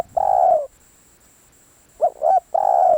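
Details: Spotted dove kept as a decoy bird for luring, on a day the luring failed. Two cooing phrases: a long, mellow note falling slightly at the end, then a pause, then two short rising coos and another drawn-out coo.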